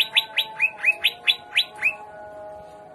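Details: Greater green leafbird giving trotolan jamtrok song in 'gaya udang' style: eight loud sweeping notes, each sliding down from very high, spaced about a quarter second apart, then quiet with a low steady hum.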